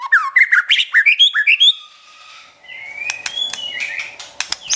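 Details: White-rumped shama song meant to rouse and train a pet bird: a quick series of upswept whistled notes repeated about every tenth of a second, then softer drawn-out whistles over faint clicking.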